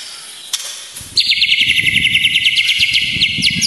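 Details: White-rumped shama song for masteran and emotion provoking: after a sharp click, a fast even trill of high notes runs steadily to the end over low rustling background noise.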